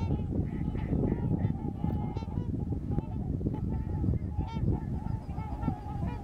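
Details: Flock of migrating trumpeter swans in Missouri giving loud, horn-like honks, many birds overlapping in a steady chorus, a few short higher notes standing out, all over a constant deep rumble.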